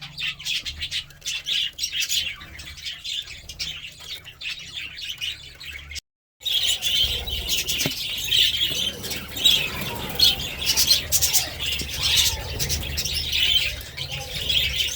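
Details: Budgerigars chattering, a dense stream of high chirps and warbles packed around the upper range, continuous apart from a brief silent gap near six seconds, with faint low hum underneath.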